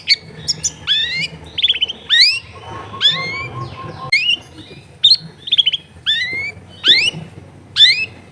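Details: Long-tailed shrike kept caged at a home in a packed neighbourhood, repeating loud upward-sweeping whistled notes and short buzzy chirps roughly every second, with a steady low hum in the background.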